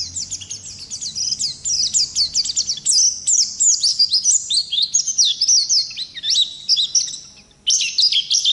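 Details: Oriental white-eye of wild 'ngalas' stock in extended 'ngerol' song for training birds: unbroken run of piercing, rapidly swooping twitters lasting over seven seconds before a short gap and a final burst.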